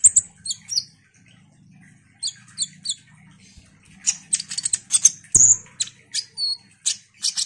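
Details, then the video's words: Ruby-cheeked sunbird singing vigorously as a lure recording for other sunbirds: paired high squeaky notes, then a dense run of sharp high ticks and chirps with brief whistled slurs, over a low background hum. "Pancingan KONIN GACOR INI DIJAMIN bikin KOLIBRI NINJA lain EMOSI Rajin Bunyi"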